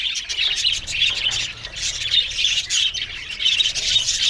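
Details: Budgerigars in an aviary give rapid bursts of chirping, about forty a minute, irregular and overlapping in a constant high chatter.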